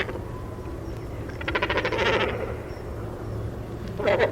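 Great Cormorant giving a harsh, guttural croaking run of rapid pulses around the middle, with another short croak near the end over a low background hum.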